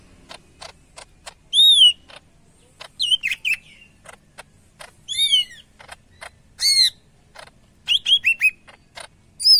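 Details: Energetic song of a greater green leafbird from Medan, with loud arched whistles and downward slurs in separate bursts every second or two, interspersed with many sharp, evenly spaced clicks.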